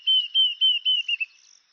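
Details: Diederik cuckoo giving one brief phrase of six pure whistled notes, the last few shorter and dropping a little in pitch, with a faint high hiss in the background.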